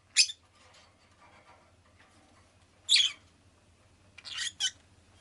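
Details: Pet rosy-faced lovebird giving a few sharp, harsh chirps, including a quick double near the end, over a steady low hum and murmuring background noise.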